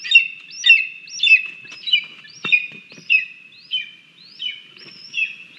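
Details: Lesser spotted eagle chick, crabby at breakfast on 17 August 2022 as it pushes its mother out of the nest after she grabs food, nest camera: loud upslurred whistled squeals repeated nearly twice a second over a steady whistled tone, with some clicks.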